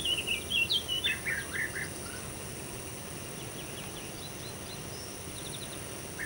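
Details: European bee-eater giving a quick run of rolled, burry notes that step downward in the first two seconds, followed by softer distant calls and a final note near the end, against a constant insect drone.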